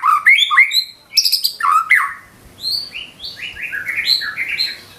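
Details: Energetic white-rumped shama song full of filler phrases, a nonstop stream of short rising whistles and sliding notes that climb higher as the phrase goes on, clear and loud throughout.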